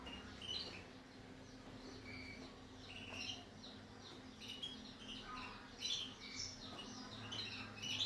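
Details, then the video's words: Several captive Black-throated canaries in the morning sing bright, twittering phrases with quick chirps and trills, overlapping at a high pitch, over a low steady hum. "THĂM CÁC BẠN YẾN HÓT- THẠCH YẾN BUỔI SÁNG"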